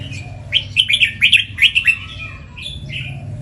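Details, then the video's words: Caged Red-whiskered bulbul, a champion competition bird known for its doubled 'beun' song style at home and on the contest pole, giving quick bright whistled phrases in a burst, then two slurred notes after a pause; steady low hum behind. "เสียงนกกรงหัวจุก เบิ้ล3อาชีพ เบิ้ลทั้งที่บ้านและบนราว"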